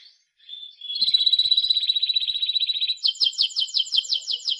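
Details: Timbrado canary song: a smooth, rapid rolling trill held for about two seconds, switching to a slower series of sharp, repeated high notes, several per second.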